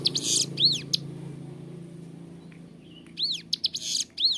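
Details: Ciblek gunung, the hill prinia, in lively clear song meant for training captive birds: dense high buzzy trills and rising-falling whistled arcs in two bursts, separated by a quieter gap with faint low hum.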